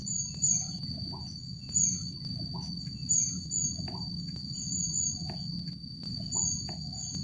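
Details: Rufous-backed kingfisher (Ceyx rufidorsa) at the Jatimulyo bird conservation village gives very high, thin, sharp call notes, usually in pairs, about every second and a half, over a steady insect drone and low background rumble.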